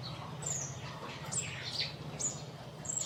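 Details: Scale-breasted munia in Assam, northeast India, March 2025: thin, high, downslurred whistled notes repeated about every half second over a steady low hum.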